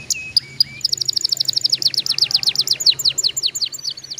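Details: Song of a canary, used to prompt young canaries to start singing: a few slurred whistles, then a rapid rolling trill of sharp high notes that gradually slows into descending chips.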